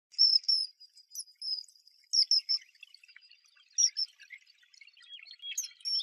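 Common kingfisher giving shrill, piercing whistled notes in short bursts, with fainter twittering of other small birds behind.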